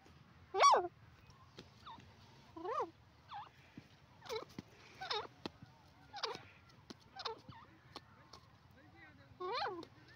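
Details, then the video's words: A pair of francolins, locally called dakhni teetar, calling: loud harsh notes that rise and fall in sharp chevrons with strong harmonics, repeated about once a second in bursts, over a low steady hum. "teetar ki boli dakhni teeter pair ki awaz"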